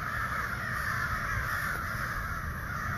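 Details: Hundreds of ravens calling in the distance, a chorus that went on for hours after dead silence; countless overlapping far-off calls blur into one steady, rough, unbroken wash with no single caller standing out, plus a low rumble.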